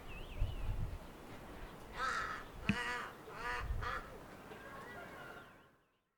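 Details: Crows in the wild give about four harsh, hoarse caws in a loose series near the middle, each a rough nasal burst. A thin wavering whistle sounds faintly at the start, over a steady low rumble of background noise.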